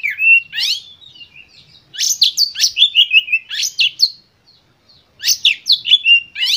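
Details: Lively Oriental magpie-robin song played to provoke other birds into singing: bursts of sharp rising and falling whistled notes mixed with harsh chatter, separated by brief pauses, clean background.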